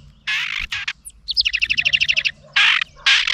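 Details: A House Wren, very angry at a GoPro placed near its nest, scolds in harsh, raspy bursts, then gives a quick rattle of about fourteen sharp notes before more grating scolds, defending its nest.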